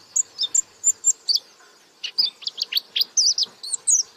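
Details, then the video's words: Pleci white-eye song in 'buka paruh' style: a few spaced, high, thin notes, a short silence, then a quicker string of bright, twisting chirps. "Burung Pleci Gacor Buka Paruh"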